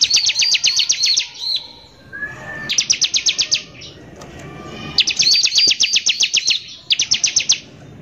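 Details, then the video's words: Bar-winged prinia singing persistently in the harsh 'nembak kasar' style, used as a lure to rouse other prinias: fast bursts of sharp, high chattering notes about four per second, each burst near a second long, separated by short pauses with a thin whistle between. "PANCINGAN CIBLEK GACOR NEMBAK KASAR INI PALING BISA BIKIN CIBLEK EMOSI"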